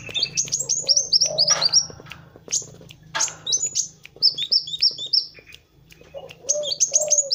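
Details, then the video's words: Master recording of a kolibri wulung sunbird in full, energetic song for tutoring other birds: rapid high thin chirps and descending twitters, with some fast repeated trill notes and short gaps, plus a low steady hum. "SUARA BURUNG MASTERAN Kowul (Kolibri Wulung) GACOR"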